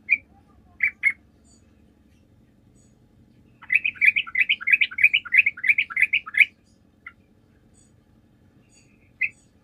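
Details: Energetic Sooty-headed bulbul song used to lure other birds into answering. A few isolated chirps lead into a long, fast, bubbly run of about fifteen notes, followed by a single closing note.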